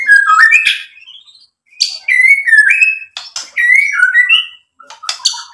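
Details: White-rumped shama song used to provoke other birds to sing: varied whistled slurs, rising and falling, broken by sharp clicks and high chips, phrases repeated at an uneven pace.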